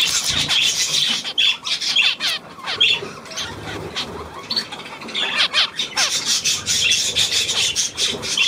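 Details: Busy budgerigar chatter, continuous high scratchy squawks and fast trilled, wavering chirps from several birds, with a brief quieter dip midway.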